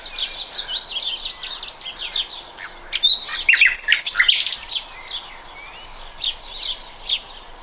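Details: Common nightingale song from 2020: rapid high chirping phrases, a loud burst of sharp notes in the middle, then pauses broken by short isolated whistles.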